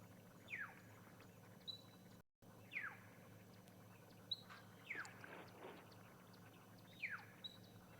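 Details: A little grebe on a waterhole at Ngala Private Game Reserve, South Africa, on the morning of 29 April 2020, gives short, sharp descending 'tip' contact notes about every two seconds, over a steady low hum with faint chirps of other birds.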